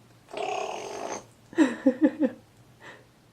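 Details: Pet African grey parrot recorded on February 24, 2011, making self-invented airplane noises: a breathy, rushing whoosh lasting about a second, then four quick, throaty pulses, with a person quietly praising the bird.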